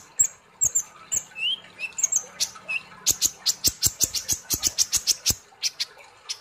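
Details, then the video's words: Sunbird, called kolibri ninja, singing in a lively therapy recording for training: high sharp chirps and whistled slurs, then a fast run of clipped ticking notes in a steady rhythm, with a faint low hum behind. "Terapi kolibri Ninja ( konin ) Gacor Ngobra Nembak"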